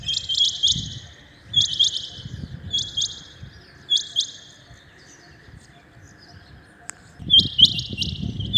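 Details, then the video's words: Early-morning rain quail call: clusters of two or three clipped high notes, separated by pauses of about a second, with low thumping background noise between bursts. "Rain quail calling 2021 | common quail calling early in the morning | چنگھا بٹیر کی زبردست آواز"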